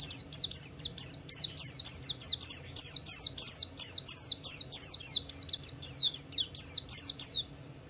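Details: Steady high chipping from a Javan white-eye in Wiklus Wiksar style, intended to stir other white-eyes into song: sharp descending notes repeated roughly three times a second for most of the phrase, fading at the end.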